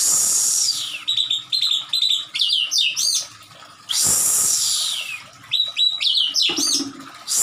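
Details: White-rumped shama, tail spread and excited, attacking: two long harsh rushing sweeps, each followed by rapid, varied whistled and chattering phrases.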